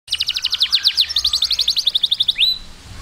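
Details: Canary singing to train its chicks: a quick run of sharp, falling notes flows into a rolling trill and ends on a single upslurred whistle.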